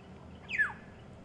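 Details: A Black-headed Oriole calls from just behind a vehicle near a resting leopard on a sunrise drive on 23 January 2015. It gives a single harsh, nasal note that slides quickly downward over a quiet background. It sounds alarmed, possibly at the leopard or near a nest.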